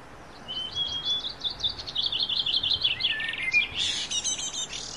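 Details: Morning song of a wild niltava in the forest: a thin high whistle, then a quick stuttering trill of bright notes, and buzzy, higher chirps at the end.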